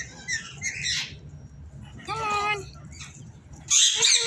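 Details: Parrot calls: scratchy chatter at the start, a clear harmonic call with several stacked tones around the middle, and a loud, hissing screech bursting in at the end, with low murmuring noise beneath.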